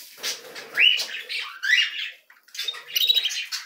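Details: Canary nestlings being fed give rough, wheezy begging cries with a short upward-sweeping squeak, a brief gap, then another burst of hoarse chatter.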